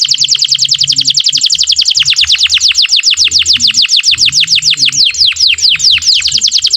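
A canary sings a long, fast trill of high, downward-sweeping notes, about eight a second, changing pace midway. A faint low hum sits underneath.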